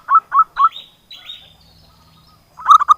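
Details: Local zebra dove singing as a lure for silent doves: three cooing notes, then higher drawn-out whistled slurs with a low hum beneath, ending with a fresh burst of quick coos.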